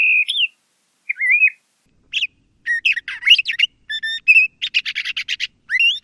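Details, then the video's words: LeConte's thrasher: a clear wavering whistle and a rising slur, then a rush of harsh buzzy and squeaky notes mixed with whistles, ending on an upward-curling whistle. "LeConte's Thrasher Bird Song, Call, Chirp, Voice - Cuitlacoche Pálido Canto"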